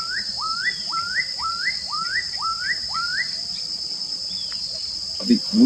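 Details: Black-capped Donacobius, close by at a small vegetation-choked lagoon in a reserve near Uberlândia, Brazil, gives alarm cries: eight loud, rising whistled notes, about two per second, over a steady high insect buzz, ending with a brief rustle.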